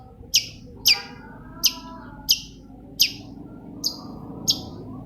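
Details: Long-tailed shrike singing as a lure for another shrike: seven sharp, harsh high notes spaced roughly every half second to second over a low background hum.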